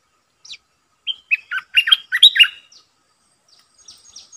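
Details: Red-eyed bulbul used as a lure bird for wild birds. A single thin note, then a rising cascade of bubbly, warbled notes, fading to faint high chirps.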